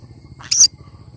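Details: Cinnamon green-cheeked conure giving a single short, harsh, rasping screech that lasts about a fifth of a second and stands out against a low, steady background hum.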